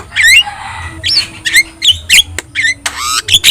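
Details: Javan myna, a yellow-eyed, highly vocal bird, in a training recording played to prompt other birds to respond. Loud, harsh squawks alternate with rising whistled notes and buzzy bursts, about eight sharp phrases in quick, uneven succession.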